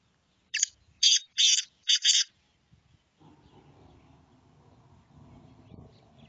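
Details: Black francolin calling: a short burst of four harsh, grating notes in quick succession, loud and clear at first, then fading to low rumbling background noise.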